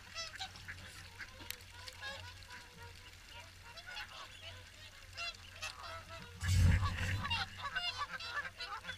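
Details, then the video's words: A gathering of swans at the WWT Caerlaverock morning feed gives steady overlapping honks and trumpeting notes, then a sudden loud low rumble and splashy noise about two-thirds through. "Morning Swan Feed"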